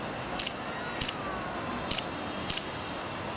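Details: Green-backed firecrown on Cerro Santa Lucía in Santiago, Chile, gives four brief, very high chips at uneven intervals, roughly one every half second to second, over a steady wash of city noise.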